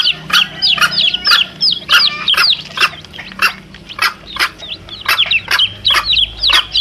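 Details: Domestic chicks and mother hen, played to attract wild junglefowl: rapid high-pitched peeps, arched and slurred downward, repeated steadily alongside regular sharp broadband clicks.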